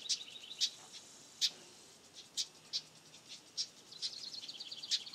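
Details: High, clipped chirps from young house wrens, spaced unevenly about once a second, with a brief thin trill near the end.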